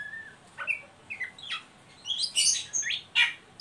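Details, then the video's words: Oriental magpie-robin giving a ngeriwik call, used to lure and stimulate young birds to sing; short whistled notes and bright chirps, a few slurred upward notes then a denser burst of high twittering. "Suara burung Kacer ngeriwik pancingan ampuh buat Kacer bahan"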